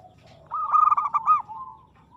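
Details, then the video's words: Single phrase from a local zebra dove singing aggressively: a soft lead-in, then a run of quick rolling coos ending in a drawn-out tone. "suara perkutut gacor agresif mental baja"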